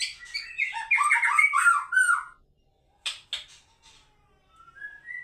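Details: White-rumped shama giving a burst of loud, varied warbled and chattering phrases for two seconds, then silence broken by a few sharp clicks and a soft rising whistle near the end.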